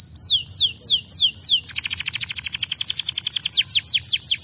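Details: Canary song used to encourage other birds to sing: a few high, downward-slurred whistles, then a long rapid rattling trill, ending with more falling whistled notes.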